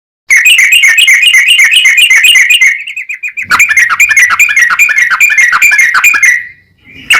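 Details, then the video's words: Yellow-vented bulbul in a long rapid song used as a lure to get other bulbuls singing: fast bubbling trilled notes around a steady pitch, a brief pause near three seconds, then another dense rattling run that fades out. "SUARA trucukan gacor ROPEL PANJANG pancingan trucukan agar bunyi"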